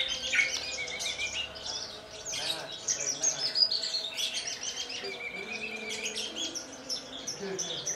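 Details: Kulon Progo Horsfield's bush lark kept in a large collection, singing Jambul style while trembling its wings after a hovering flight. It gives busy, irregular, high chirps and buzzy trills mixed with short whistles, with faint background noise.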